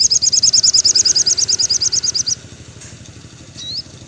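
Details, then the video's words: Crimson sunbird song recorded in the afternoon for captive birds: a rapid, even trill of about twenty piercing high notes for over two seconds, then a single short rising squeak, with a low engine rumble in the background. "suara sogon syahdu sore hari"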